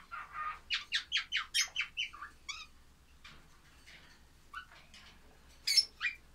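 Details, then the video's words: Baby lovebirds calling: a quick run of about ten sharp, rising chirps in a steady burst, then scattered softer squeaks and a final pair of loud shrill notes, in a quiet indoor setting. "love birds baby"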